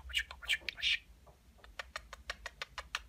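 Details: Pet talking budgerigar mimicking human speech, its chatter rich in kissing sounds: a few raspy, voice-like high bursts, then a run of quick dry clicks and smacks about every quarter second.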